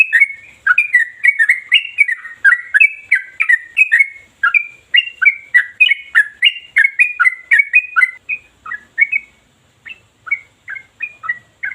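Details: Trucukan, the sooty-headed bulbul, in continuous ropel song, machine-like with no pauses, sharp and deep in tone. Rapid chain of liquid warbled whistles, roughly three per second, running unbroken for eight seconds before slowing to spaced notes.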